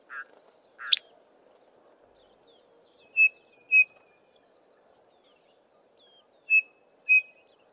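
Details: Small group of Chinspot Batises calling while foraging in tall Acacia trees; male gives a loud three-note descending call. Pure whistled notes come in evenly spaced pairs about half a second apart, with short harsh buzzy bursts at the start.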